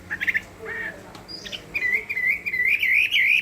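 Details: Chinese hwamei in contest singing: scattered short whistled notes at first, then a continuous run of rapid, wavering, slurred whistles in a mid-high register that rise and fall without pause.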